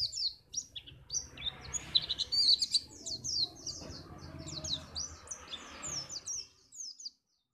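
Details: A white-eye pours out a fast, sustained stream of high, sharp twitters and slurred chirps, used to make other birds sing for contests, over a low background murmur, ending abruptly after about seven seconds.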